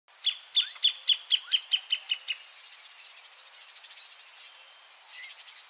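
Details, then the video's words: Greater thornbird singing near its nest: a run of about nine loud, sharp notes, evenly spaced and slightly falling in pitch, lasting two seconds. Softer bird chatter follows over a steady high insect hum. "CANTO DO PÁSSARO GRAVETEIRO no entorno do ninho (PHACELLODOMUS RUBER), GREATER THORNBIRD"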